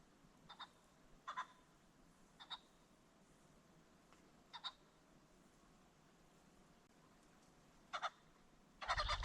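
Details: Common (ring-necked) pheasant along a creek bottom at sunset gives harsh, clipped double notes, about five or six short bursts spaced a second or more apart, before a louder rustle at the end.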